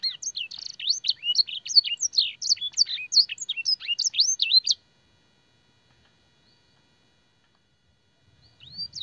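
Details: Fancy canary master song with blackthroat and sanger phrasing: nearly five seconds of rapid, high, looping whistled and chirped notes, then silence until one faint rising whistle at the end.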